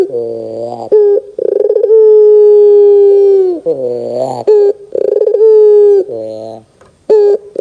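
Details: Barbary dove calls played as a lure so young doves will reply: drawn-out level coos alternate with buzzy, descending phrases and short clipped notes, repeated several times.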